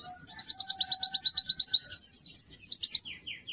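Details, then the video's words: Lively, melodious white-eye song: a continuous run of very high, fast, rhythmic chirps, about five per second, ending in sweeping high notes. Faint lower tones run beneath. "Kicau Burung PLECI GACOR MERDU"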